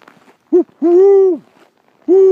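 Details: Great horned owl, male and female calling back and forth with a person: a brief low hoot, then a long, steady, deep hoot, another long hoot beginning at the end, each rich in overtones, quiet between notes.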